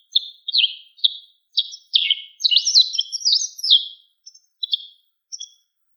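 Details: White wagtail in the wild. Several separate downslurred chirps swell into a dense, fast twittering burst, then fade back to a few sparse high notes, with no other sounds.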